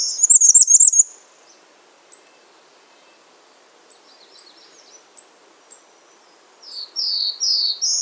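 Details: Shrill rapid trill at the start, then scattered faint high ticks over quiet background. Near the end the bay-breasted warbler gives a run of slurred high whistles rising in pitch.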